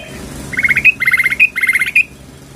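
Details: Female sooty-headed bulbul calling the male: three quick bursts of bright, bubbling chattering notes, each closed by a sharper higher note, repeated about every half second.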